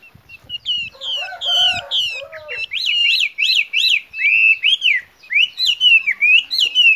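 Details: Female Chinese hwamei calling, a sound used to lure males. Early buzzy, harmonic notes give way to a quick series of loud, clear, rising-and-falling whistled notes, repeated about once a second, then wavering slurred phrases.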